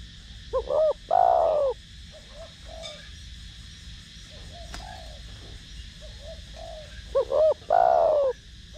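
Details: Spotted dove singing in the Thổ Đồng voice, used to lure and excite other doves: a loud double note followed by a drawn-out falling coo, repeated twice, with faint answering coos in between.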